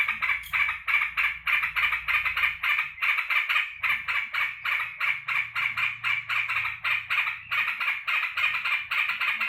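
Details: Yellow-vented bulbul kept by its owner, welcoming the keeper back from work: a steady, unbroken run of rasping chattered notes at roughly three a second, with a soft low rumble underneath early on.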